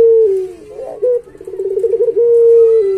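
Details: Barbary dove (puter pelung) singing for a master recording used to train pet doves: a steady low coo, a brief rising note, a bubbling rapid trill, then a long even coo that dips at its end.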